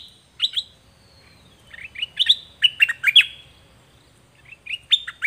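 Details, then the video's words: Pet zebra finch song recorded to tutor young birds into singing along: clusters of short, nasal, harmonic notes near the upper-middle range, given in bursts with brief pauses, over a quiet background. "เสียงนกดอกแตงเจ้าเพชรกับเจ้ามณี เสียงใหม่ล่าสุด2020ไว้สำหรับต่อ ใช้หัดลูกนกให้ร้องตาม"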